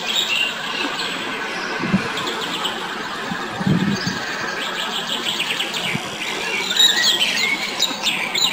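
European goldfinch twittering in a fast, tinkling run of high chirps and trills, with a steady hiss of background noise and a few low thumps.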